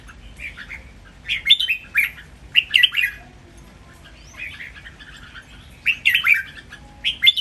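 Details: Red-whiskered bulbuls kept in cages, three birds sung against each other, give a model song for training, counted by phrase: clear, lilting two-part warbles repeated every second or two, with a thin high whistle midway.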